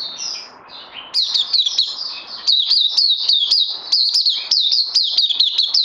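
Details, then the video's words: Oriental white-eye, kept bird on day two of a supplement course, 31 May 2020: a soft thin whistle first, then a burst of rapid, high, bright down-slurred chirps repeated several times a second. "Puteh Crazy LG"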